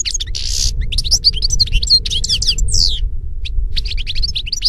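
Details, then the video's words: Dense, lively singing of a European goldfinch (Carduelis carduelis) in nature: rapid tinkling notes, buzzy bursts and twittered phrases packed closely together, with a steady low hum beneath. "Birds Singing - European Goldfinch"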